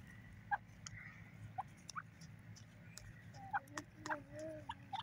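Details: Grey partridge calling in a forest, giving short, scattered clucking and chirping notes, about ten in five seconds, over a steady low rumble.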